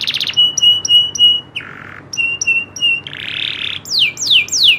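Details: Local loper-type canary song with rolling trills: brief trills, repeated steady whistled notes broken by buzzy bursts, then quick descending swoops.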